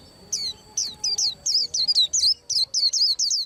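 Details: White-eye getting ready to moult, delivering a lively stream of around fourteen high, sweet slurred chirps at a fast, slightly uneven pace.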